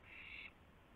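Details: An owl's lone harsh screech, about a third of a second long and fairly loud, recorded at 12:25 AM on April 7, 2016, while a gopher is delivered.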